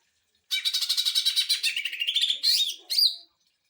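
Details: Greater green leafbird song of the rapid-fire 'sewing machine' style, used to tutor and provoke other birds: a fast, high stuttering trill of repeated notes sliding downward, then two sharp whistled phrases.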